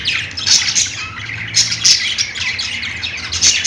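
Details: Budgerigars chirping: a dense chorus of harsh squawks and rapid high twittering notes overlapping continuously, with louder sharp chirps bursting out around every half second to second, no other sounds standing out.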